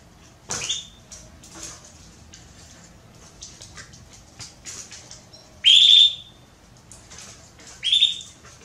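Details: Female Belgian canary soliciting mating, giving two loud whistled calls late in the clip, each a short rising note held steady at high pitch, with soft chirps and faint clicks scattered between them.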